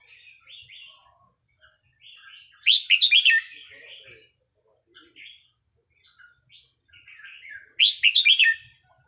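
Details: Red-whiskered bulbul training recording for caged birds: soft warbling phrases punctuated by two loud bursts of rapid, harsh chattering notes, with quiet gaps between.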